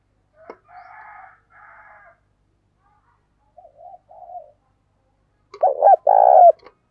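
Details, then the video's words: Spotted dove used as a decoy to call wild doves. Softer buzzy and hooting notes come first, then a loud cooing phrase: a quick double hoot and a long, falling coo. "Chim Cu Mồi gáy Gọi Bổi, mở lên bổi nghe gáy liền"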